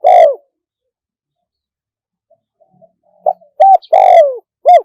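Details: Spotted dove's live crow in the wild-phrasing style with a single 'kook'. A falling drawn-out note ends one phrase, silence follows, then a new sequence of short coos, a long descending coo and a final short note.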